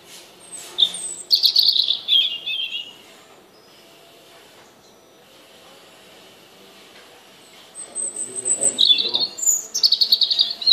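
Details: Robin song in two spells, a wavering silvery phrase sliding downward, a long silence, then a rapid sparkling sequence of high trills and whistles with faint low noise beneath.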